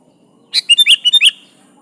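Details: Single phrase from a sooty-headed bulbul in full song, used to call a rival: six quick, bright, liquid notes run together in under a second, with a quiet background.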